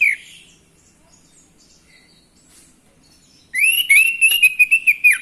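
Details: Orange-headed thrush song used to rouse males into singing: after a short opening phrase and a long near-silent gap, a sudden run of bright, rapid whistled notes wavers up and down in quick succession.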